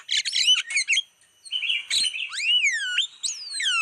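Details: Lure call of Javan myna used to attract wild birds: a rapid scratchy chatter, then several clear downward-sweeping whistles.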